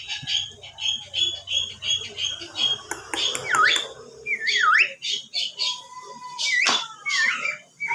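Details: Javan myna giving whistles: a run of rapid, repeated chirping notes, then several steep, swooping whistles that fall and rise, mixed with harsh squawks over a low background murmur.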